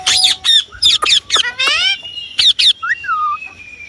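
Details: Indian ringneck parrot talking in quick, harsh, speech-like syllables with layered harmonics, including one long rising-falling note. A gliding whistle and a descending whistled phrase follow.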